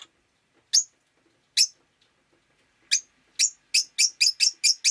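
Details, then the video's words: Rosy-faced lovebird on a rainy day giving sharp, high chirps, a few spaced notes at first, then a fast run of about seven evenly repeated chirps. "Lovebird Chirping Sounds"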